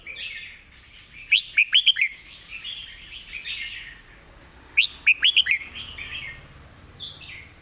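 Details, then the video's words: Song of a red-whiskered bulbul delivered in a quick, repeated master-song pattern: two bursts of four or five loud whistled, up-and-down notes about three and a half seconds apart, with softer chattering warbles between them. "เพลงดี"ปากไว เดินเพลงย้ำๆ เพลงแม่บท"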